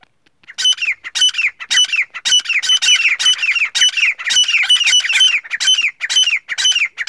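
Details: Black francolin (teetar), a male calling to a female: harsh, grating squawky notes with falling slurs, repeated rapidly about twice per second in overlapping bursts throughout, with no other clear sounds.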